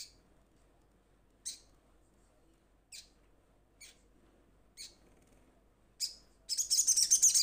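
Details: Little spiderhunter calling to its companions: single sharp high chips spaced about every one and a half seconds, then a quick, loud pulsing trill at the end.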